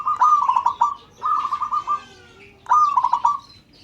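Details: Zebra dove of the local type calling so others answer: three bursts of bubbling, staccato coos, each five or six quick notes tumbling together, the last burst opening with a sharp accented note.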